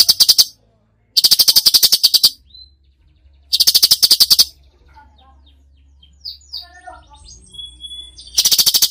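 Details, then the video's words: Tutor recording of a lively cucak cungkok in full 'tembakan' song: repeated harsh rattles of quick ticking notes lasting about a second each, followed by a quieter pause of soft high chirps and a thin whistle. "masteran cucak cungkok gacor full tembakan"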